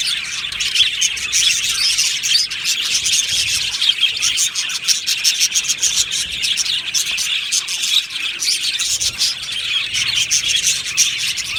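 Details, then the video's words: Aviary colony of budgies chattering nonstop, a thick layer of fast, scratchy high twitters and chirps overlapping throughout, steady in loudness. "Beautiful Happy Budgie singing and chirping sounds"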